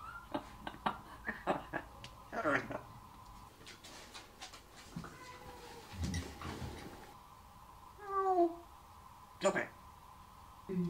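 A Congo African grey parrot gives short speech-like phrases and squeaky, meow-like sliding notes over a steady indoor hum, with a person speaking nearby.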